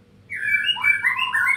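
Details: A wild-caught, over-excitable captive White-rumped shama gives a rich, fluty run of whistled notes, sliding up and down and overlapping, for just over a second after a quiet start.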